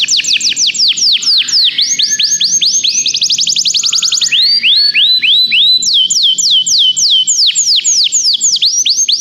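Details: Canary in full song, meant to encourage a canary to sing: changing tours of repeated swooping whistles, a brief rapid rattle and lower notes, with faint low background hum.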